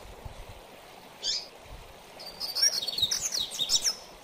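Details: One high slurred note, a pause, then a bright, fast-warbled mateiro-style phrase from a double-collared seedeater; this song style is used for training because most coleiros get excited on hearing it.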